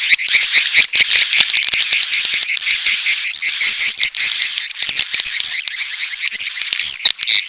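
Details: Edible-nest swiftlet mating call with chick calls, a dense high chatter carrying a thin sustained whistle and rapid, irregular ticking clicks.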